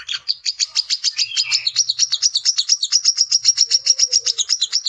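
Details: Brown-throated sunbird male singing to challenge rivals: a continuous, fast series of shrill high chirps, about four a second, with a soft low tone briefly near the end.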